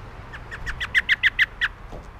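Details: American robin at a feeder in May 2021 gives a quick run of about nine short, sharp mid-pitched notes, growing louder, at roughly six or seven per second, over faint background hum.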